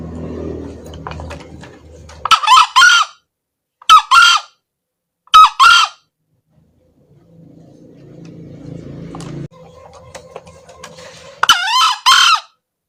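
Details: Male green junglefowl crowing, used as a lure for trapping: four short, hoarse two-part crows, a brief burst then a longer rasping note, spaced a few seconds apart, with a low rumbling hum and quiet gaps between.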